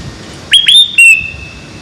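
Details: Sooty-headed bulbul in full 'isian' song, played to make caged birds sing more: two clear whistled notes rising sharply, then a long, flat, sustained whistle, over a faint low hum.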